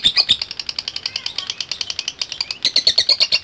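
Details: Lovebird called out by a lure recording, producing quick, evenly spaced high ticks that grow louder and buzzier near the end.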